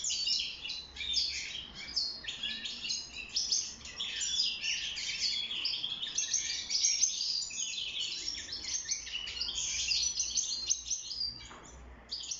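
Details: Caged European goldfinch singing for mating and nest building: a continuous, fast, tinkling twitter of bright chirps and short trills, rich and varied, running without pause throughout, with a faint low hum beneath.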